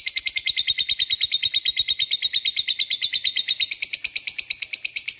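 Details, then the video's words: Lovebird giving a ngekek lure call to summon rival birds: an unbroken, rapid, even rattle of shrill, raspy pulses, about six per second, running through the whole stretch. "Pancingan lovebird mudah di respon lawan memanggil lawan ngeekek"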